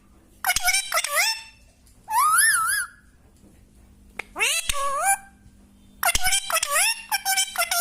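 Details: Parrot giving a series of loud, harsh squawks and wavering whistled calls, some rising and falling, in bursts separated by short pauses, indoors with a faint steady hum in the background.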